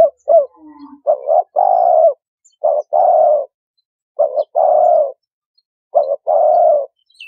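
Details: Spotted dove cooing played as a trapping lure. Four husky phrases arrive about every one and a half seconds, each a quick clipped double note followed by a long, even coo.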